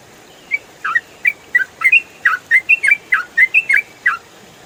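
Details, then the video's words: Yellow-vented bulbul, 'ropel' rapid style recorded cleanly as songbird training material, gives a string of brisk whistled notes, each a short slur up or down, roughly three per second, with light background hiss. "MASTERAN TRUCUKAN ROPEL FULL SUARA JERNIH"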